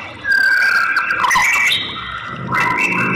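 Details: Whistled phrases of a female white-rumped shama calling a male: a long steady whistle, a burst of mixed higher notes, then a pause before another sustained rising tone.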